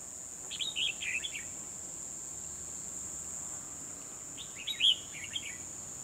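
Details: Red-whiskered bulbul used as a decoy on 12 December 2020, singing to draw wild rivals into a trap. Two short bursts of bright, warbling, chattering notes about four seconds apart, over a loud, steady, high insect drone.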